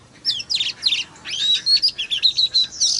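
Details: White-rumped shama song used to rouse other shamas: quick buzzy chirps, then a series of clear high whistled notes repeated about four times a second, ending in a rasping burst.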